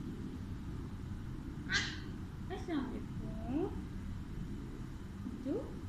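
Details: Pet Alexandrine parakeet (Psittacula eupatria) speaks four brief, nasal imitated greeting words in Urdu/Hindi, such as 'Kesy Ho' and 'Assalam o Alaikum', spaced a second or so apart, over a steady low background hum.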